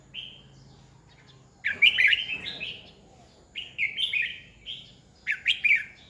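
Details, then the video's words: Red-whiskered bulbul used as a decoy bird for training and stimulating other bulbuls to sing, recorded in 2020; short warbled, bright phrases delivered in three separate bursts, each slurring up and down, with quiet background between them. "Chào mào mồi cực hay khi luyện giọng ép bổi sổ bọng 2020, Cách luyện chào mào hót căng lửa 2020"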